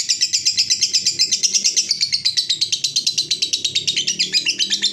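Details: Lovebird giving a long 'ngekek panjang' chattering trill, offered as a lure recording to set other lovebirds chattering; a rapid, even stream of high buzzy pulses, about three per second, running unbroken through the whole stretch over faint low background hum.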